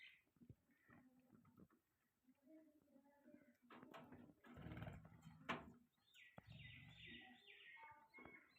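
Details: Budgerigars chatter and chirp in an uneven stream of short warbles and buzzy notes, with a run of bright, high trilled chirps near the end.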